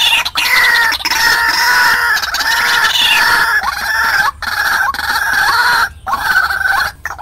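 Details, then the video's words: Lure recording of a white-breasted waterhen for attracting wild birds into traps: a dense, continuous stream of rough, clucking notes, some with a quick upward inflection, broken by a few short silences. "Tiếng quốc mồi cực hay/Dùng bẫy Quốc hiệu quả/Tiếng quốc mồi gọi bổi"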